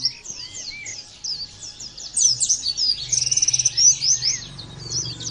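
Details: Oriental white-eye, called pleci, singing 'nembak', the style this training recording is meant to teach: thin high whistles building into dense, rapid twittering with a quick trill, then tapering off over a low background hum.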